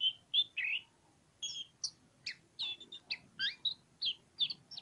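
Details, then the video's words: Pociku-type oriental magpie-robin in lively ngobra song, a fast string of clear whistles, slurred notes and buzzy chips, each note short, poured out almost without pause over a quiet background. "KACER POCIKU NGOBRA NGOBRA"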